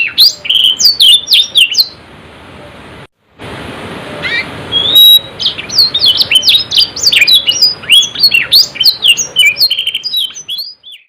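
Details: Canary singing in gacor ngerol nembak fashion: dense bursts of shrill, fast-slurred whistles and trills, broken by a short silent gap and a thin steady tone, then resuming with rapid chirping phrases until the song fades.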